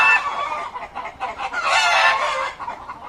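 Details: Chickens in a crowded coop making loud overlapping calls: a short dense wash of squawking and clucking that swells to a peak midway, then fades, with no single bird standing out.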